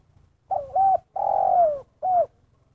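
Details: Spotted dove, the 'kuk satu' style tekukur call: low mellow cooing in three parts, a quick two-part note, a long sliding coo dropping in pitch, and a short closing coo, with faint low background noise.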